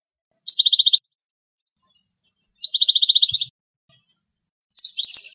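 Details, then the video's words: European goldfinch in the wild in Greece, a female taking prey from a spider's web, gives short rapid high trills, each under a second, spaced about two seconds apart, then a jumbled twittering phrase. "European goldfinch song"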